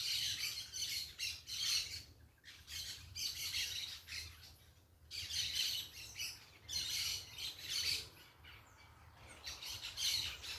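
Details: Several parakeets squawking in bursts against nature sounds; loud bouts of shrill, overlapping calls last a second or two each, separated by brief quieter pauses, with a faint low hum beneath.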